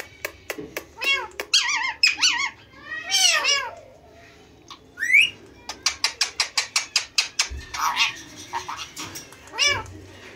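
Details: Two male Indian green ringneck parakeets kept as talking pets, giving sharp repeated whistles, rising squeaky phrases and a fast series of clicking chirps in an indoor setting.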